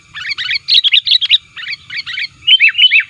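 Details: Lure call of a sooty-headed bulbul, active and pressing rivals, for trapping wild birds: dense clusters of sharp, rattling chirps in quick succession, ending with several clearer downslurred whistled notes.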